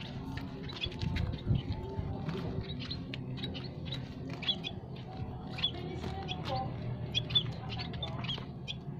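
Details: Continuous chatter of Peking and Javan munias kept in an aviary: many thin, quick chirps scattered throughout, fairly soft, over a busy low-pitched hum and faint tonal background sounds.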